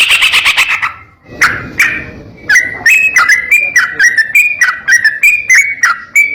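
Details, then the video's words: Sooty-headed bulbul in vigorous rapid, harsh-toned song used as a training recording: a fast buzzy burst of notes, a pause, then a series of short clipped whistles with sharp drops, repeated about three times a second. "BURUNG TRUCUK GACOR ROPEL NEMBAK KASAR‼️ MASTERAN TRUCUK"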